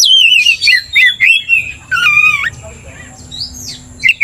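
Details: Oriental magpie-robin (kacer) singing in a 'gacor' style meant to provoke another bird to anger: loud clear whistled phrases that slide down, then a warbled rising-and-falling run, ending in brief sharp high notes.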